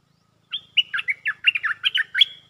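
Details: A caged stripe-throated bulbul sings a lure song: a quick, bubbling phrase of about nine clear, liquid whistled notes rising and falling over two seconds, with no other sounds.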